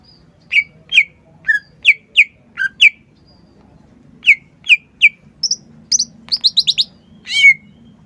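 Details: Green leafbird (cucak ijo) delivering evenly spaced, sharp whistled notes roughly every half second. After a short gap come higher rapid twitters and a closing rich, falling slur.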